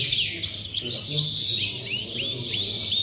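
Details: European goldfinch singing at a competition in Tarragona, January 2020: quick high upslurred chirps and tinkling twitters tumbling in a fast run, over a low hum of background noise.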